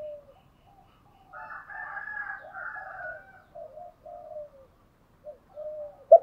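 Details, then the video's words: Spotted dove used as a decoy, calling to stimulate wild doves into cooing back; soft, low hooting coos run in a loose series, with a fainter, higher murmuring band above them and a sharp click at the end. "chim cu mồi kích bổi, tiếng thúc gáy gọi kích thích bổi rất xiêng gáy theo"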